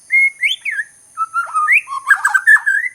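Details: White-crowned shama from Sabah, Borneo, performing loud clear whistled notes that rise and fall, some held level, others bent and warbled, ending in a rapid jumbled flourish; faint steady high hiss behind.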